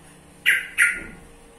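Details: Sooty-headed bulbul (trucukan) giving two loud, squawky, sharply struck notes in quick succession, each trailing away, with a low hum behind.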